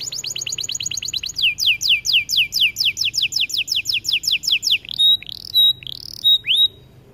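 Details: White AF canary in energetic song: a fast trill, then a steady string of descending whistled notes about three per second, closing with a few loud, level whistles and upslurs.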